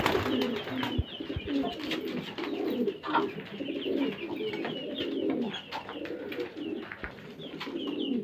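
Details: Hobby-kept fancy domestic pigeons in a Karachi, Pakistan loft coo in a steady low murmuring chorus, continuous throaty rolls, while thin, rapid small-bird chirps repeat above and occasional knocks sound indoors.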